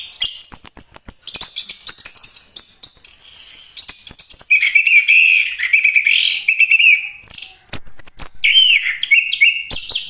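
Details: Anis kembang, the chestnut-capped thrush, in full varied song: quick high chattering trills and sweet warbled whistles, shifting pitch phrase to phrase, with short buzzy runs and scattered sharp clicks in the background.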